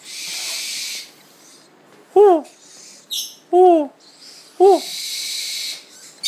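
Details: Blind spix's screech owl chicks (Spectacled owl listed) that turn toward a calling voice give two long, harsh hissing bursts, broken by three short, rising-then-falling hooting calls about a second apart.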